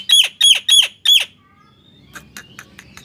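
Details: Nias hill myna, sounding to prompt silent mynas to sing: four loud, ringing, downward-sliding calls about three a second, followed by faint soft ticks and a thin tone.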